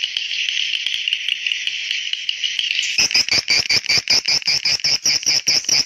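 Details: Swiftlet call to attract young swiftlets: a continuous shrill buzzing trill for about three seconds, then loud, regularly spaced chirps with a rising, whistled upper note, roughly two to three per second.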